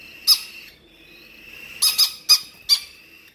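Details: A conure and a cockatiel fighting over food give harsh, broadband parrot squawks in short bursts, one single then a quick run of four.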